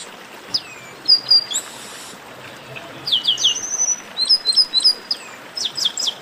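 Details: Chestnut-capped blackbird singing esquenta. Bursts of high, crisp chirps and slurred whistles in quick groups, increasingly dense and rapid toward the end.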